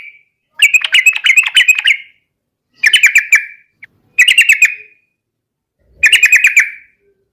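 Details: Yellow-vented bulbul singing to provoke rivals into a fight: four short, rapid stuttering trills of clipped chattering notes, each under a second and a half, separated by quiet pauses.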